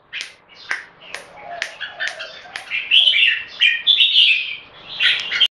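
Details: Caged red-whiskered bulbuls from Singapore in a two-bird singing competition: a series of sharp clicks first, then building bursts of bright, fast warbled song.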